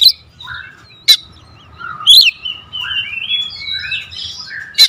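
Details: Kacer, the magpie-robin, in pancingan 'tembakan rapat' singing: scattered sharp clicks and a loud slurred whistle among softer, varied warbling phrases that rise and fall at moderate volume, with a low hum in the background.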